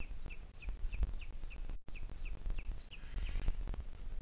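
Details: Booted eagle, Sierra de Guadarrama, recorded 2 July 2021 at 17:53: loud, high, yelping notes given in fast bouncy runs of about four per second, briefly interrupted, over low rumbling wind.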